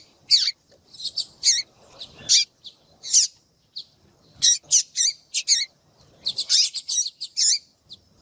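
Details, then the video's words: Calls of a female yellow-bellied seedeater used to get males singing: high, thin chirps and short downslurred notes, mostly single or in pairs, closing with a fast run of bright notes. "Piado de fêmea de papa capim vai deixar seu papa capim cantando Muito RÁPIDO !"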